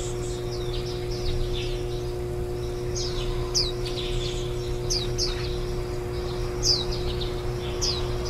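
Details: Warbling white-eye brood, ten days old and due to fledge the next day, 23 July 2018: soft high chirps at first, then sharper downslurred notes in small groups, with steady hum and low background noise.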